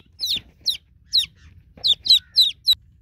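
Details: High-pitched peeping of newborn chicks seeking their broody mother hen, with evenly spaced down-slurred notes at first, then a quicker burst of clear piping cheeps; soft low thuds beneath.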